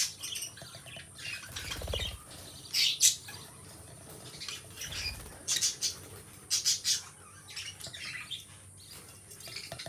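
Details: Two captive lovebird companions chatter in sharp, high squawky bursts, often doubled or tripled, spaced by a few seconds of softer scratchy twittering; dull low bumps sound twice early on.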